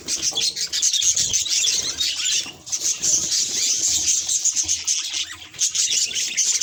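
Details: Budgerigar chattering at its mirror reflection: rapid, squeaky warble of chirps and scratchy notes, running almost without break, with a brief pause near the middle.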